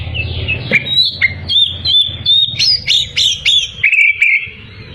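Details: An Oriental magpie-robin sings nonstop to provoke opponents: a string of clear, level and upswept whistles, then quick chipping notes and a falling trill, with a low hum in the background.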